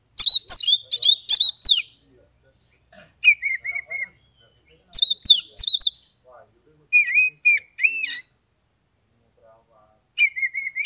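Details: Kept Oriental magpie-robin (kacer) from Kebumen, Central Java, Indonesia, singing in the ngeplong style. Bursts of sharp whistled notes and rapid trills come in four phrases separated by short pauses, with lower slurred whistles between.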